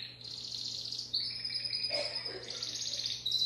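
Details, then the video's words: A Timbrado canary sings continuous high trills and rolling tours around 4–5 kHz, switching between fast pulsed trills and sustained metallic rolls, with a faint steady hum beneath. "تغريد كناري التمبرادو"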